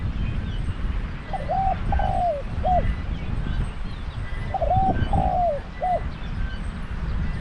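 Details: Decoy spotted dove calling at a trapping pen in Thailand repeats a three-note coo phrase twice, about three seconds apart. Each phrase has a short coo, a drawn-out descending croon and a clipped final note over low background rumble.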